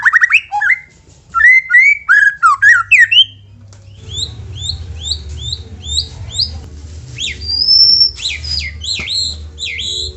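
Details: Song of a white-rumped shama, used to coax other shamas to sing, opening with rapid loud chattering whistles, then repeated high chip-like notes, a long pure whistle and final sharp slurs.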